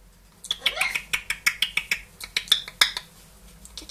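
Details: Indoor pet parrots, a two-year-old grey parrot and a one-year-old Amazon, giving a fast series of sharp, high clicking chirps, roughly four per second, steady for about three seconds.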